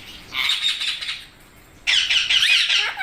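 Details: Parrot giving two bursts of harsh, rapid, high squawking chatter, the first about one second long, then a brief pause and a louder, denser second burst with rasping, wavering notes.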